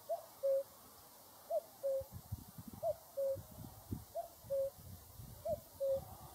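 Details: Cuckoo calling its two-note cu-coo, a short higher note sliding into a longer lower one, repeated steadily about every 1.3 seconds, five times in all, over a quiet outdoor background with faint low rumbles.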